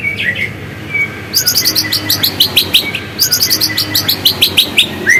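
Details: White-rumped shama song in its original voice, played to provoke other shamas into singing: two bursts of very high, sharp, rapidly repeated chirps after a few softer whistled notes.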